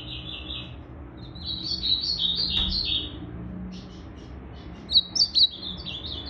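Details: Moulting Blue-black grosbeak, tail still regrowing, on 8 September 2020 sings bright, high warbled phrases, a slurred burst early on, then softer fragments and a closing cluster of sharp, quick notes over a low background hum.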